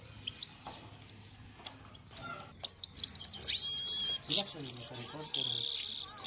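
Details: Trained European goldfinches during pairing; after a few quiet seconds with faint low hum, a bright, rapid, high twittering song bursts in, tinkling trills and buzzy notes repeated about four per second, loud to the end.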